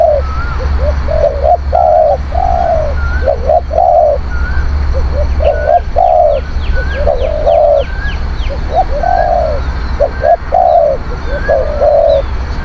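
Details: Spotted dove cooing, played to lure wild doves: repeated groups of short low coos each ending in a longer drawn-out coo, steady over a constant low hum, with thin high chirps and whistles from other small birds.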